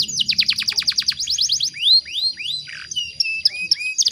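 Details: Female canary in breeding condition calling in a male: a rapid series of steep descending sweeps, then slower rising glides, a soft rasp and scattered whistled notes, over faint low hum.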